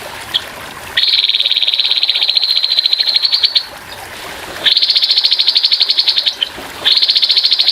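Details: Grey-headed babbler singing rough 'tembakan' bursts over softly trickling water: one high, rattling trill lasting nearly three seconds, then two shorter fast trills after brief pauses, all at a steady pitch.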